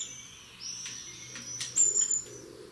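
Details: European greenfinch singing on a balcony: a long, drawn-out, high whistled note that rises slightly, then a brighter, sharper high note near the end, over a low steady background hum.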